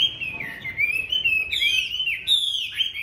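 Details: Caged Chinese hwamei from Hanoi giving a sustained, loud whistled phrase that wavers up and down, with sharp rising notes breaking in near the middle and end.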